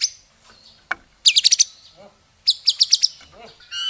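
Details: Murai batu singing short, intense bursts: two clusters of five quick ringing high notes about a second apart, separated by quiet gaps with a sharp click and a closing whistled phrase.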